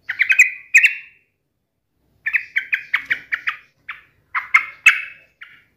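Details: Yellow-vented bulbul in full song, challenging a rival: short bursts of clear, bubbling notes in quick clusters, separated by gaps, with some phrases ending in a brief trill.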